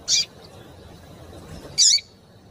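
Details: Female Double-collared seedeater calling to excite and stir the male into singing; two short, sharp high chirps spaced well apart, the second about two seconds after the first, over a soft steady background hiss.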